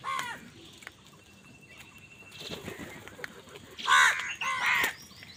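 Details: Crows fighting over food give harsh cawing calls: a faint caw at the start, then two loud grating caws near the end, with light background rustling between them.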